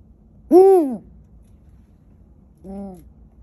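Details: Captive Abyssinian long-eared owl at an owl cafe in Tokyo, Japan, giving two nasal, arching greeting calls: a loud one rising then falling, then a softer, lower one two seconds later.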